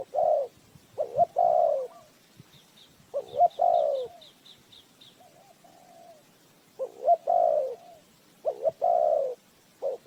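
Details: Decoy spotted dove used for bird trapping, cooing repeatedly in a soft hooting-then-drawn-out falling pattern, with faint high rapid ticking from another bird between phrases.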